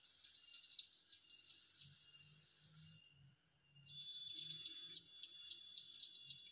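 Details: During a bird-trapping session in Indonesia, a Hill prinia lure call: high chirped phrases with a slurred note early, low thumping in the middle, then a loud, rapid chattering run of repeated notes.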